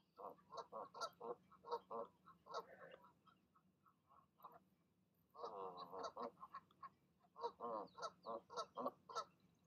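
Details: Goose parents urging goslings to leap from the nest one evening: long series of rapid, nasal, harmonic honks in three bursts separated by short lulls.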